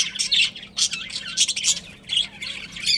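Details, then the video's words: Loud squawking chirps from a budgerigar breeding pair, grating high notes delivered in clustered spurts separated by short, quieter gaps. "Adorable Budgies Chirping Sounds"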